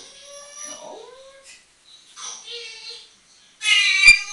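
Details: Pet African grey parrot indoors, talking and whistling: sustained tonal whistles with stacked harmonics, a short downward-sliding note, quiet gaps, then a loud harsh squawk near the end.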